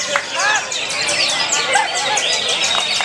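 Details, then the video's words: Greater green leafbird performing at a songbird contest, singing a fast, dense run of high whistles, chirps and trills, with other birds calling and people's voices in the background. "Aksi Cucak Hijau"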